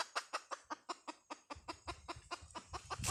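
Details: Hen giving rapid sharp clucks, several per second, while a low rumbling noise rises partway through.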